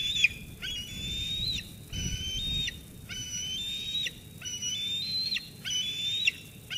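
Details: At Sauces Canyon on 13 June 2021, a young eagle squees insistently at its food-delivering mother until she departs. Drawn-out shrill whistles with a slight upward drift, each ending in a quick drop, given in a steady series of five.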